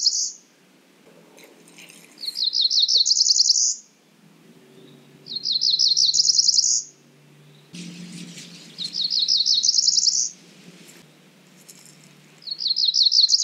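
A Cerulean warbler repeats a high, buzzy phrase of quick notes that rises to a thin trill, four times, about every three seconds, over a quiet background.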